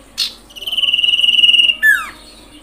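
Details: Common iora call used as a lure to provoke other ioras into calling: a sharp high note, then a long, fast-pulsed whistled trill that drifts slightly lower for over a second, ending in a clear downslurred whistle.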